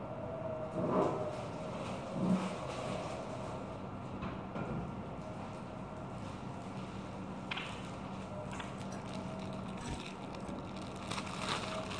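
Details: Broadband street noise and a passing vehicle rumble, with a few knocks and clatters; no animal calls can be picked out.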